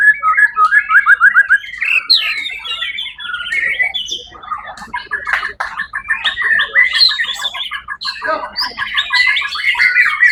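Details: First-place white-rumped shama from a songbird contest on 1 October 2023 delivers fast stuttering trills and repeated chipping notes woven into a loud, rich whistled song.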